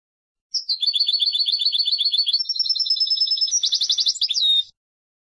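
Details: One sustained phrase of European goldfinch song, about four seconds of bright, rapid twittering that climbs slightly, shifts into a buzzy rattling trill, then ends on a short falling whistle. No other sounds.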